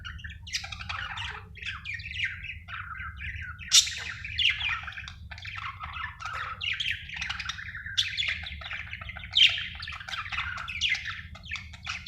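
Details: A happy budgerigar chirps and warbles continuously with busy, scratchy twitters and sharp squeaks.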